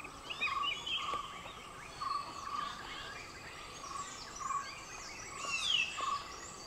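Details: Flame-throated bulbul (Pycnonotus gularis) calling at Thattekkad: short, warbled notes in loose pairs every second or two over a busy chorus of higher-pitched forest birds and a thin insect hum.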